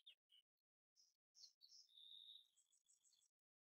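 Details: Kingfisher in March 2023 giving sharp, high chirps, then a longer shrill whistled trill with quick repeated notes; otherwise quiet.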